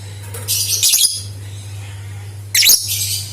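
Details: Lovebird lure sound to get other lovebirds singing: a long, dense stretch of high screechy twittering, then after a pause a shorter piercing burst, all over a continuous low hum.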